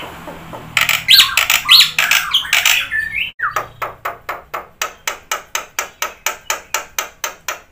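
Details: Black-winged myna (jalak putih) in lively full song, used as a lure to make silent birds sing: loud harsh squawks and whistled notes, then a long run of sharp clicking chips repeated about every third of a second.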